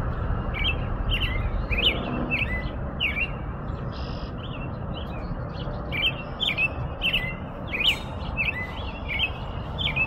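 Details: Caroling American robin, its short whistled phrases bending up and down and coming in loose bursts with a pause midway, while a low broad rumble of background noise continues throughout.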